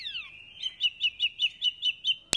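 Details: Spot-throated Babbler, an Indonesian songbird called "wambi mini" because its song closely resembles the wambi's, gives a bright, high series of about eight quick whistled notes over a steady thin tone, ending in a sharp click.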